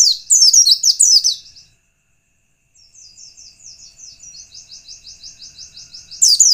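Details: White-eye lure song meant to provoke other white-eyes: a loud burst of quick high descending slurred notes, a pause, then a soft steady rapid trill of repeated ticking notes, ending with another loud burst.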